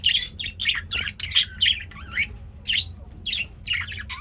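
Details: Male budgerigars busy in their cage give rapid chirps and bent, whistled warble notes in quick clusters, some rising and falling, over a low hum.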